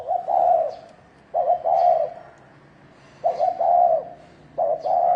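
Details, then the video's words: Spotted dove calling in the thổ đồng style to provoke males to fight. Four loud, throaty coo phrases come in about five seconds. Each has a short double note, then a longer drawn-out note, with quiet gaps between. "Tiếng chim cu gáy thổ đồng kích trống kích bổi đánh nhau"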